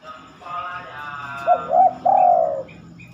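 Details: Spotted dove singing at night, a time it rarely sings. After a stretch of steady tonal background sound, two short rising coos are followed by a longer, drawn-out falling coo.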